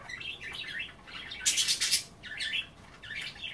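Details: Pet budgerigars chattering over kale at bath time; soft warbled chirps with a loud rasping burst in the middle, then more twittering.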